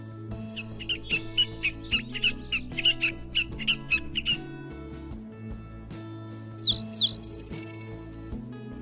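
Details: A mimicking catbird, whose copied sounds of Sora rail, meadowlark, snipe and tree frog may advertise his age to females, gives a string of sharp, slurred chirps, pauses, then a few high whistles and a fast buzzy trill, all over soft music.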